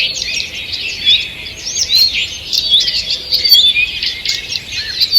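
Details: Many birds singing together in a forest on the morning of 2 June 2023, a thick layer of high twittering and short whistled notes with brief louder phrases rising out of the mix.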